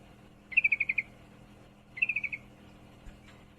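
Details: Two crisp chattering bursts from a female yellow-vented bulbul in heat calling a male, six and five quick notes in a row about one and a half seconds apart, then quiet apart from a faint click.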